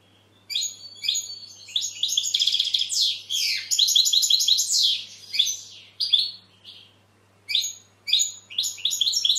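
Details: European goldfinch song: lively twittering with buzzy and liquid notes in long phrases, trailing into scattered short chirps; low steady hum behind.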